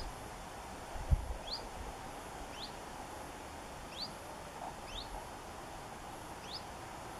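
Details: A Common Chiffchaff in buddleia at The Cuttings, Portland, on 13 September 2018 gives soft, rising 'hweet' calls about one a second, over a steady hiss and a single low thump.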